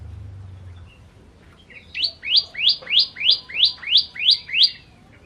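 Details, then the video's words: Ciblek, or bar-winged prinia, sings a measured series of eight rising, whip-like high notes, roughly three per second, after a brief quiet start with low hum. "Ciblek Kristal Gacor"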